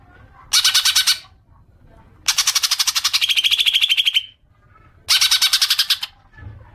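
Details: Green leafbird (cucak ijo) chattering, used as a lure to prompt long ngekek: three rattling bursts of rapid harsh pulses, the middle one longest at about two seconds and ending in a buzzy tone.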